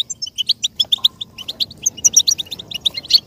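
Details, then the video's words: A European goldfinch sings a rapid, tinkling twitter of bright high notes, several per second, with buzzy trills and a brief soft whistle, played as stimulation for goldfinches to learn and imitate. "stimulation for the goldfinch to learn and imitate sounds"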